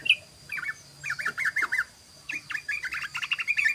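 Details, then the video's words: Sooty-headed bulbul singing in the rapid 'ropel' style, used as a lure: quick bursts of short, bright, slurred notes in three runs separated by brief pauses, with a faint low hum beneath. "SUARA BURUNG TRUCUKAN ROPEL❗❗❗BURUNG TRUCUKAN NGEROPEL"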